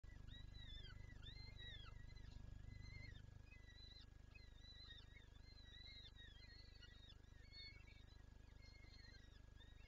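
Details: Peregrine falcon in Lublin on 23 April 2024, calling while wanting to feed its chicks: faint, fast run of thin whining notes with sharp downward tails, repeated several times a second, over steady low humming background noise.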